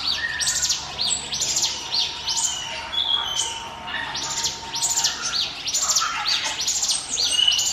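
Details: 'Ngiwit wit' lure song of a bar-winged prinia for attracting other birds: trains of sharp high chirps about once a second, with scattered softer whistles below.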